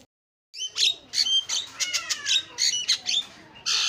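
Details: Excited Javan myna used to get fellow mynas singing: after a short silence, loud harsh squawks and grating bursts follow one another, mixed with brief downslurred whistles.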